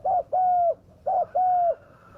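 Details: Spotted dove lure call, a fierce-voiced recording used to bring wild doves down: two paired coos, each a short note followed by a longer, steady, level coo, with a brief pause between the pairs.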